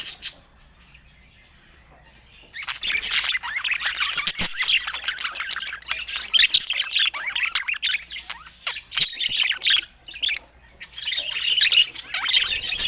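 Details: After a quiet start, budgerigars break into a long stretch of fast, twisting chirps and squeaky warbling, pausing briefly before another burst of chatter.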